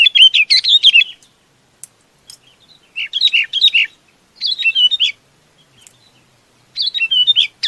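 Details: Chinese babax calling its flock: bursts of quick, chirpy, warbled notes, each run about a second long, with pauses of over a second between them.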